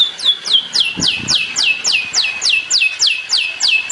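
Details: Long-tailed shrike master recording for training songbirds: a steady series of high whistled notes, each sweeping sharply downward, repeated about three to four times per second.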